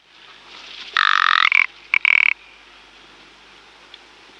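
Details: Rock ptarmigan; rattle call; males directing calls at rival males in breeding season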